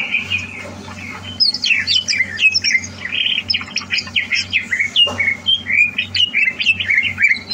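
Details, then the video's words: Greater green leafbird, a competition-ready bird, delivers a loud, continuous jumble of harsh squawky notes and sliding whistles. Phrases pour out without pause above a constant low background hum. "Suara Burung CUCAK Hijau"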